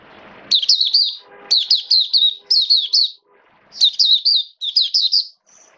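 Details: Oriental white-eye, a caged hobby bird recorded on 29 September 2022 in wet weather, sings 'buka sing raja': repeated bright phrases of quick, high, wavering chirps, five short bursts with faint low background murmur between them.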